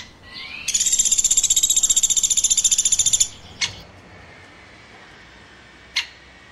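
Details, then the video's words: A woodpecker chirps with a rising lead-in that turns into a shrill, rapidly pulsed trill of about two and a half seconds, followed by two sharp clicks. "Woodpecker Chirping"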